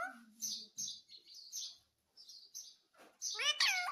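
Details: Talking Indian ringneck parrot: soft high chirps and a low hum at first, then a sudden loud, wavy, voice-like burst near the end.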